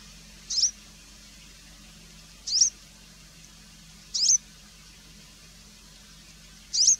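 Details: Variable wheatear (Oenanthe picata) giving four brief, high, squeaky call notes, spaced roughly every two seconds, above a faint low hum.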